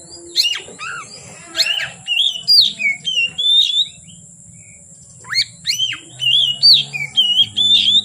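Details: Oriental magpie-robin (kacer) singing from afternoon until dark: loud whistled phrases with rising sweeps and clear slurred notes in bursts, a pause mid-clip, then another run of bright fluting notes over a steady high electrical hum.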